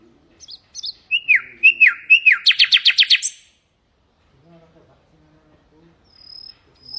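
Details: Common nightingale, tutoring song for canaries and goldfinches: soft high notes lead into three loud downward-slurred whistles, then a fast run of sharp repeated clicks before silence and faint distant notes.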